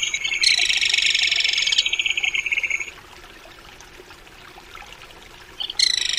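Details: A crested kingfisher calls with a loud, buzzy, rapidly pulsed rattle that fades over about two and a half seconds, then quiet, then a fresh burst begins.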